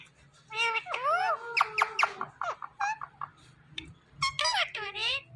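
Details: Rose-ringed parakeet talking, a string of squeaky, harmonic, speech-like phrases with rising and falling whistled inflections in short bursts, pausing between words, indoors.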